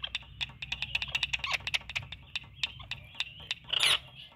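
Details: Talking Indian ringneck parakeet kept as a pet, producing rapid clicking ticks and bright squeaky notes, ending in a harsh burst of noisy squawk near the close.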